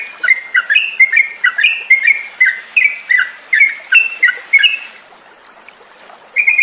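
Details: Yellow-vented bulbul lure song for coaxing stalled caged birds to sing again: bubbly, rollicking whistled phrases repeated quickly for five seconds, a pause, then the phrase starting again.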